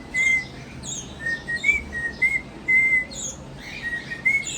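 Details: Pet cockatiel learning to whistle tunes, having already learned three: clear, pure whistled notes at a steady pitch, some short and some held, in a broken phrase, with soft higher chirps behind.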